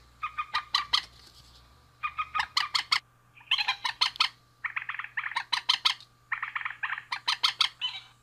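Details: Rapid, chattering series of rasping notes from a male and female rail, in four dense bursts lasting about a second each, with a continuous faint tone underneath.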